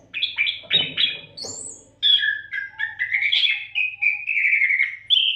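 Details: Oriental magpie-robin (kacer) singing without pause to train other songbirds; a short series of stuttered notes, then a thin high slur, then long smooth whistled phrases dropping and rising in pitch. A faint low hum is present.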